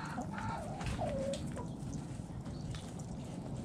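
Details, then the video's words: Backyard chickens eating in the coop, with a short clucking call that rises then levels off, over steady low rumbling background noise. "Hens Clucking Roosters Crowing"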